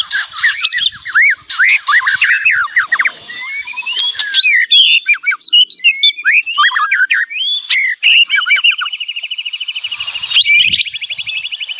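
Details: White-rumped shama singing loudly with a full, varied repertoire: quick whistled sweeps and chirps, scattered clicks, then a long steady trilled buzz held for several seconds near the end.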